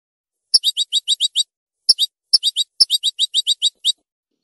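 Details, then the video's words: European goldfinch singing: short bright chirped notes in quick bursts of three to eight, separated by brief pauses, against a silent background. "canto chardonn"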